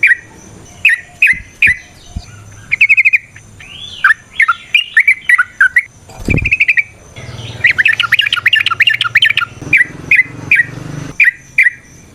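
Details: Yellow-vented bulbul in long fighting song to provoke rivals: spaced chirps, varied warbling phrases, a dull thump, then a dense chattering burst and more separate chirps.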